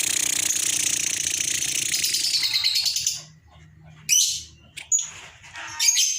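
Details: Excited lovebird giving a long, dense, high-pitched chatter for about three seconds, then short bright squeaky bursts separated by pauses, used as a lure to provoke other birds; low background music throughout.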